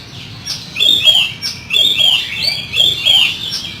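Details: Oriental magpie-robin singing a rough fill-in song: loud, rapid run of high whistled and scratchy phrases, several sweeping notes repeated about once a second, with a low murmur beneath.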